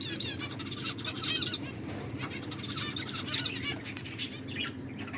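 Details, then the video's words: Pet finches at their food give soft, high chirps and twitters throughout, partly masked by wing flaps and a prominent low rumbling hum. "My beautiful finches eating and enjoying finches chirping sounds"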